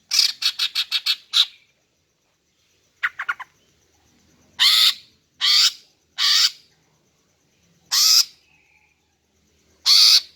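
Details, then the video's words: A rapid run of six clipped, harsh chattering notes, then a short triple, then five separate rasping calls spaced one to two seconds apart; a female greater green leafbird calling to lure males. "Memikat dan Memancing Burung Cucak Ijo Jantan dengan Suara Betina Ini agar Gacor Mantap"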